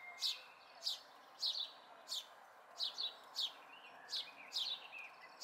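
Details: House sparrow fledglings recorded locally in May 2020: steady run of about a dozen sharp descending chirps, sometimes paired, roughly two per second over quiet hiss.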